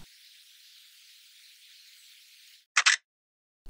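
A faint steady hiss, then silence broken by a sharp double click like a camera shutter, with no animal voice.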